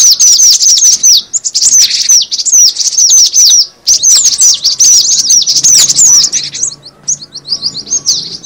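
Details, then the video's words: Cinereous tit calls played as a lure: energetic high chattering chirps in dense runs, a short break near the middle, then sparser repeated downward chirps toward the end. "suara pikat burung gelatik batu"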